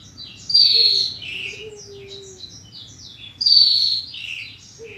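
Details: Horsfield's bushlark song compiled in 2022 to train caged bushlarks: two loud sharp whistled phrases about three seconds apart, each trailing into husky notes, with quick twittering chips in between and a low hum throughout.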